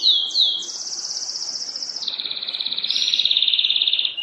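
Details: Canary singing during mating. Two quick high swooping notes lead into long, fast, buzzy rolled trills. A high roll steps down after two seconds to a lower, steady roll lasting to the end, over faint background noise.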